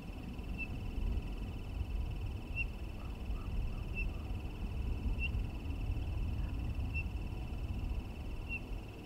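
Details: Townsend's solitaire chirping: a single short, clear, pure whistled note repeated every one to two seconds, about six times, over a steady low rumble and a faint constant hum.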